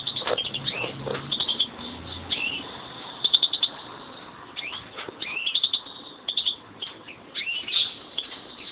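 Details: Song from a pair of European greenfinches kept as caged birds. Sharp rising and falling whistled sweeps alternate with bursts of rapid twittering and short trills, coming in irregular phrases roughly every couple of seconds.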